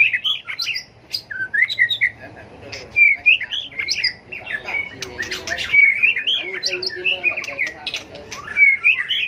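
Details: Tail-flicking White-rumped shama in a competitive fighting song session for training birds: continuous warbled whistles and chattering notes with frequent sharp clicks, loud and busy throughout.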